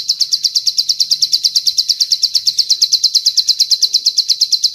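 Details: Bar-winged prinia song used as a master, filled with long cililin phrases: continuous, bright, high notes pulsing evenly at roughly three per second.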